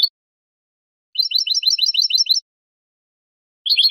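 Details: Basic song of a European goldfinch, bibleos martilleados type: a quick burst of rapid, high tinkling notes repeated in a hammered trill over about a second, framed by brief fragments, otherwise silent.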